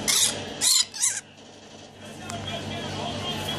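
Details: A pet male rainbow lorikeet, hatched October 2013, at indoor play time gives three harsh, grating screeches in quick succession over about a second, then falls quiet over a low background hiss.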